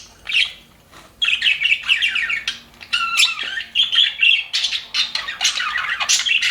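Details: Happy budgies kept in an aviary, a flock chattering in bursts of warbled, buzzy chirps and short whistles after a brief quiet start, with several birds calling at once.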